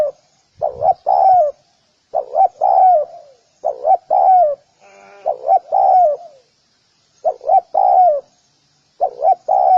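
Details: Spotted dove cooing: soft, low paired coos repeated in phrases about every one and a half seconds, each ending on a longer, drawn-out falling note, with a faint background noise midway.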